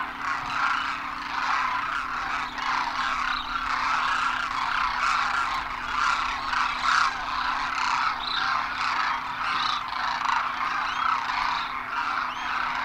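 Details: Thousands of migratory Demoiselle cranes (Koonj) landing at a water hole in Khichan, Rajasthan, India, in winter after crossing the Himalaya; dense chorus of overlapping rolling, trumpeting calls throughout, over a steady low hum.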